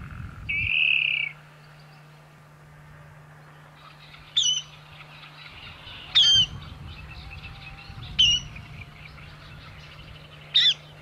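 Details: Water rail calling: a brief steady high whistled tone, then sharp, clipped high notes repeated about every two seconds over a constant low electrical hum.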